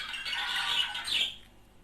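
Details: Budgerigars, a pair, chattering to stimulate mating; a brief steady warble with a higher squeaky note near the end.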